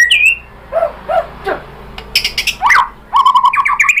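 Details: White-rumped shama lure song to make other shamas sing: a high whistle, several softer lower hooting notes, a few sharp clicks, then a quick chattering run of whistled notes.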